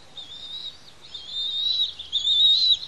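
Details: Feeding time for two young bald eaglets at a Santa Cruz Island nest: a steady, high, thin whistling whine with slight wavers, quiet at first, then growing louder toward the end.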